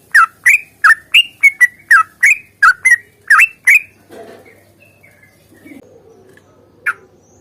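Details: Sooty-headed bulbul fighting song, used to get other birds singing: loud, rich whistled phrases near two kilohertz repeated about three times a second, then softer chatter and one final sharp note.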